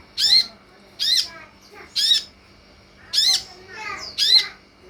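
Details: Sunbird lure recording meant to make other sunbirds respond and sing: loud rasping squawks of about a quarter second, repeated roughly once a second, with faint softer chirps between them.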